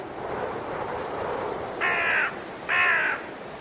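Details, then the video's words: Raven croaking twice, each hoarse caw about half a second long and spaced under a second apart, over a steady rushing background noise. "Raben Geräusche - Raben Sound"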